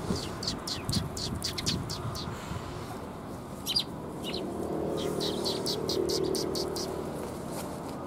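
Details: At a Tenmangu shrine on 27 February 2021, sparrows coming to be fed give rapid runs of sharp chirps, a brief lull, then more quick chirping, with low rumbling background noise throughout.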